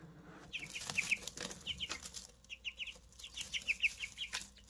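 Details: Newly hatched Easter Egger chicks cheeping steadily: bright, high, slightly downslurred peeps in quick runs, several birds overlapping, with light scratching and tapping in the background.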